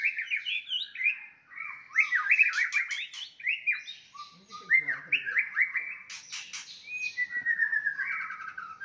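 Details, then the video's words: White-rumped shama singing a fighting song to stir up a rival's aggression; rapid rising and falling whistled notes in quick series, some harsh buzzy bursts mixed in. "OTOMATIS NGAMUK murai batu tarung ampuh untuk menaikan emosi"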